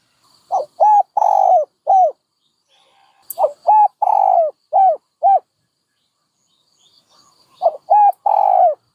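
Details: Three similar dove phrases in sequence, each of four or five short arched hoots around a longer falling coo, with brief quiet between them.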